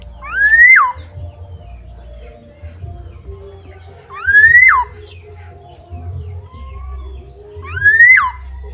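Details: Caged bird let outside, a black-naped oriole calls insistently: three loud nasal notes, each sliding upward then dropping abruptly, spaced roughly four seconds apart, with quieter small-bird chatter between.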